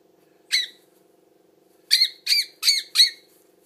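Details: Young bird begging during hand-feeding inside a small room: one shrill chirp, a pause, then four quick harsh squeaky calls in a row over a faint steady hum.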